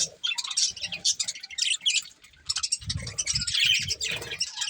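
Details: Breeding pair of budgerigars chattering: dense, rapid high chirps and scratchy warbled notes in quick overlapping bursts, a short lull near the two-second mark, then renewed busy chirping over soft low thumps and knocks.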